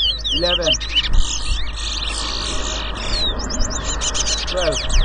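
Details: Towa towa (large-billed seed-finch) singing in a 2022 whistling competition at Rosehall Town, Guyana: nearly continuous bright, high twittering phrases of fast slurred whistles and trills, with people talking and low background hum.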